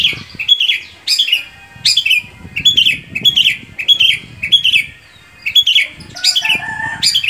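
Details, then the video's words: Long-tailed shrike singing, used to get other shrikes singing: a steady series of downslurred, slightly buzzy notes repeated almost every second, over soft low background rumble. "Cendet mana aja yang gak mau gacor bila seperti ini"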